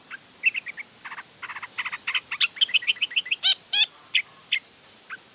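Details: Long-tailed shrike pouring out varied song to provoke neighbouring shrikes. Quick repeated chirps, about three or four a second, come in clusters, broken by two loud grating rasps and a few trailing notes.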